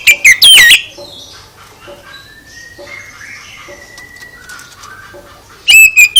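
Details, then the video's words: Oriental magpie-robin song meant to provoke another kacer into replying: loud harsh bursts at the start and end, with soft, drawn-out whistled notes sliding gently between them. "Gak Mungkin Gak NYAUT ketika KACER ditempel dengan KICAU ini"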